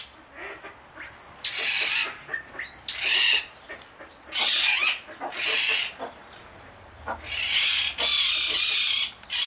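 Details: A pair of blue eared pheasants (Crossoptilon auritum) call: a series of harsh, raspy bursts, each under a second, with a couple of brief thin squeaks early on.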